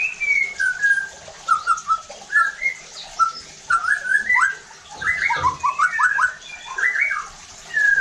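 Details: White-rumped shama song used to trigger singing in other shamas: varied mid-pitched whistled phrases, then dense rapid tumbling notes, continuing steadily throughout.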